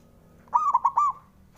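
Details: Male zebra dove from Java, song to rouse rivals: one crisp phrase of four fast, rounded cooing notes run together, then silence.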